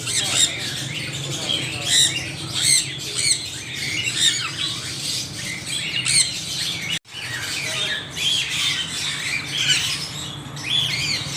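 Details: A noisy gathering of parrots: many shrill, grating squawks and short chirps pile on top of each other in a continuous chorus, with one sudden break partway through and a faint low rumble underneath.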